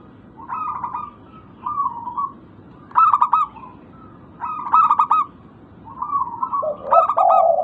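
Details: Local zebra dove call played as a lure to make stalled birds sing: repeated stuttering coo phrases, mid-pitched and pulsed, some short and smooth, the last one overlapped by a lower, throatier coo.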